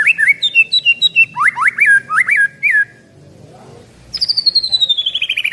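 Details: White-rumped shama of Medan stock, eleven months old with a 24 cm tail, singing loudly: varied whistled phrases with upslurred and looping notes, a short pause, then a fast trill gliding down from high pitch.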